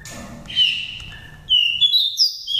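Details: Lure song of a wild-voiced oriental magpie-robin from Daklak, Vietnam, five seasons old, used to rouse birds or trap them. Bright, sustained whistles, some slurred upward, follow one another in quick succession.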